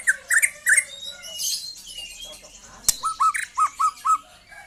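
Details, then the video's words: Young white-rumped shama singing: loud, varied whistled and squawky phrases, a sharp click near the middle, then a run of five or six short downslurred whistles in quick succession; indoor setting. "KICAU BURUNG MURAI MUDA"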